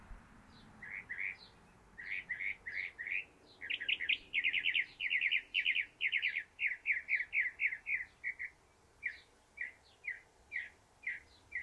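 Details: Northern mockingbird singing from its favourite perch, the top of a stove pipe: rapid runs of repeated chirpy notes, phrases of several identical syllables stacked in quick bursts, steady and loud throughout.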